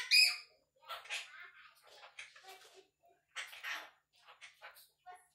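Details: One-year-old pet Quaker parrot, male, chattering and talking indoors: short bursts of raspy, speech-like syllables with squeaky whistled notes, broken by brief pauses.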